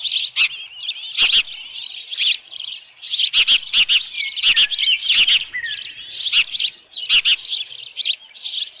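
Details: Osprey nest at Dunrovin Ranch, 10 June 2018, 6:41 PM, with a headless fish. High chirping whistles run almost nonstop, broken by sharp tapping clicks on the nest-camera microphone.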